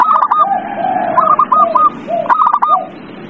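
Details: Zebra dove singing, used to encourage a quiet bird to sing: clustered bubbling coos, each burst followed by a lower, drawn-out mellow note, repeated three times in quick succession.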